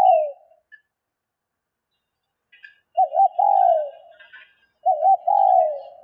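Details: Female spotted dove call meant to stimulate males: a tail of one coo, then two full phrases of wavering short notes and a long falling coo, with faint higher chirps of other birds in between.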